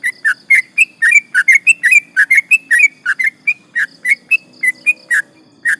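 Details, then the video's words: Sooty-headed bulbul (trucukan) singing actively in the long rolling 'ropel panjang' style, used to provoke rivals: a fast run of bright, slurred whistled notes, some rising and some falling, in quick bursts with short gaps. "trucukan gacor ropel panjang bikin emosi lawan"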